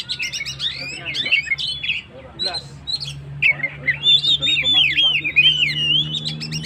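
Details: Kacer or Oriental magpie-robin 'gacor' song meant to rouse stressed birds: dense chattering chips and squeaks, then a run of wavering whistled phrases, over a faint low steady hum.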